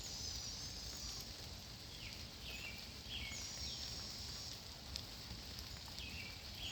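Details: Two hungry Barred owlets in a Bigleaf Maple begging their mother for food. They give faint, raspy, hissing downslurred screeches every second or two over a steady low rumble.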